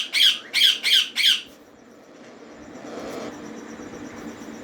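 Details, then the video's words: Green ringneck parrot chicks during feeding, four rough, grating squawks in a rapid row, followed by quiet room noise. "Raw Parrot Green Ringneck Parrot Chicks Feed Time"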